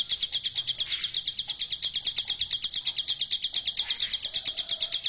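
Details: Hill prinia song containing a golden grasshopper imitation: loud, high, regular buzzy pulses, a little over two per second, continue throughout, with a faint low whistle near the end.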